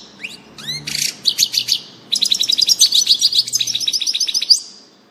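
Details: European goldfinch singing, recorded 16 June 2018: a few rising whistled notes open into rapid, tinkling high twitters and buzzy trills, with a faint low hum in the background.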